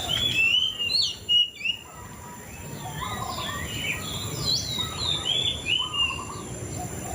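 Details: Song of a white-rumped shama, bright whistled and twittering phrases tumbling quickly, a few lower mellow notes, against continuous hiss and faint insect sound.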